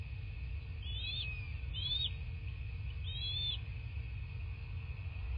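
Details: Bald eagle calling at its nest in southwest Florida, captured by a nest camera on 14 March 2024 around 9:20: three high, thin, arched chitter notes about a second apart, with a constant low rumble and a steady tone beneath.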